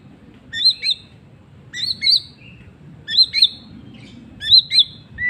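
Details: Afternoon song of a white-rumped shama: four short phrases of high, twisting whistled notes, each ending in a lower chirp, spaced roughly a second apart, with faint low hum behind.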